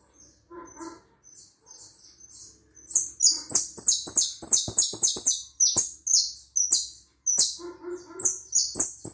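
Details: Hooded siskin sings long, fast, buzzy twittering at a high pitch, notes tumbling rapidly; lower, nasal calls from another bird sound now and then in the background.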